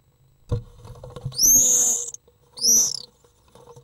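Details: Three young Common Swifts, the oldest seven days old, being fed at the nest on 13 June 2013: a soft knock, then two high, thin, shrill wheezing bursts, the first longer, the second brief, separated by a short pause.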